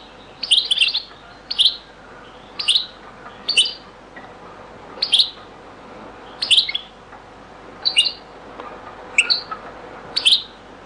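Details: European goldfinch, Beni Messous 'les avocats' zaboka song, very old recording: isolated high, bright twittered notes and short clusters repeating every one to one and a half seconds against low hiss.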